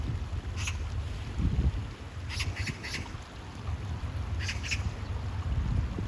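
An Oriental magpie gives a few short, harsh, rasping chacks in scattered pairs over heavy low rumbling wind or traffic noise.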